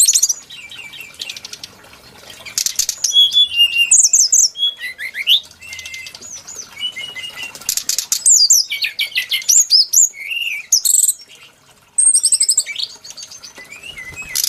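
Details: A brown-chested jungle flycatcher sings a lively, jumbled medley of high chirps, buzzy trills and sweet slurred whistles in bursts separated by brief pauses. Its song is described as very similar to the Tledekan gunung.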